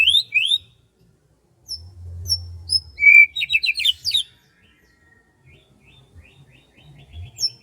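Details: In rice fields in the morning, a bird gives high thin chirps and short whistles, then a jumbled burst of quick sharp notes, with a low rumble beneath.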